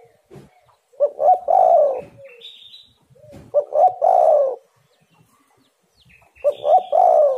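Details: Spotted dove calling persistently as lure audio: three deep, mellow cooing phrases about every two and a half to three seconds, each a couple of clipped notes and a drawn-out rolling coo. A thin higher whistle follows some phrases.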